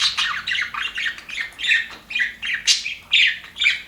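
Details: Happy budgerigars in an aviary chatter in rhythmic warbled phrases, squawky chirps pulsing about twice a second in a steady back-and-forth flow.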